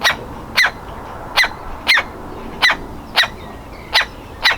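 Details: Woodpecker nestling ready to leave its nest hole, struggling to get out, giving sharp raspy calls at a steady pace, about one every half second or more, eight in all.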